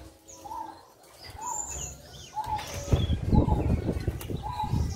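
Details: Caged male 'Gong'-type zebra dove in Solo, paired with a female red leopard-colour spotted dove for a crossbreeding experiment and described as over-aroused, giving short mid-pitched coo notes about once a second; scattered high chirps from other birds and rising low background noise.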